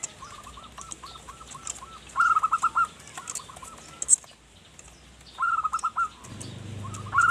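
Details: Zebra dove, a local perkutut, singing actively in manggung style as a lure for wild birds: short runs of quick, even, mid-pitched cooing notes in bursts, with faint softer notes early and a low rumble near the end.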